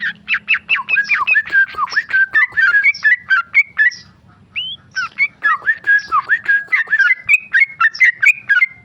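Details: Tame male sooty-headed bulbul in rapid 'ropel' song: dense strings of bright, bouncing whistled notes with a brief pause midway, then resuming with quick rising and falling slurs.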